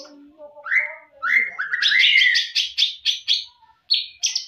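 A greater green leafbird sings a rich, varied phrase: soft low notes and rising slurred whistles, then a run of bright, rapid chips and higher whistles.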